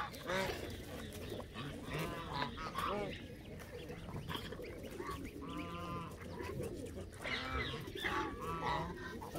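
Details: Canada geese calling in bursts: scattered nasal honks at uneven intervals, several birds overlapping, amid a busy, noisy background.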